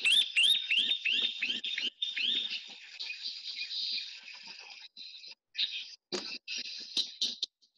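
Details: Chirping Cisticola in Namibia giving quick, high, rising chirps about three a second, then a drier, scratchy chattering run of short notes.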